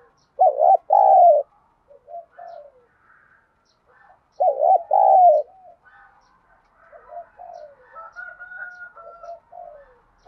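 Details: Spotted dove giving a 'thúc gù' coo in 'đồng thổ' voice style, used to stimulate other doves to respond quickly. Two loud, low, hooting coo phrases about one second long arrive four seconds apart, followed by softer broken coos and faint higher chirps.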